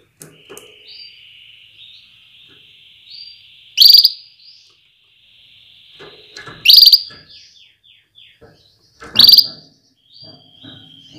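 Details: Calling female canary urging males toward readiness and vigorous song; three loud, sharp chirps roughly every three seconds over a steady thin high whistle and faint soft twitters.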